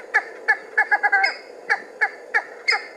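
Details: A cheer pheasant emerging from cover gives short, harsh cackling notes, a quick cluster early on, then single notes spaced about a third of a second apart.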